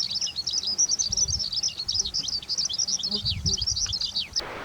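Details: A meadow bunting in Japan in spring to early summer sings a fast, high run of short, bright chirping notes that tumble on for about four seconds before stopping, with a faint low rumble underneath.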